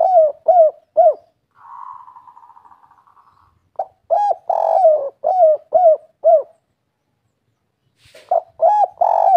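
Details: Spotted dove (derkuku) singing the three-note 'kuk 3' local wild style: soft low rounded coos in quick groups, with a brief buzzy trilled phrase between the coo series and a short pause before the final notes.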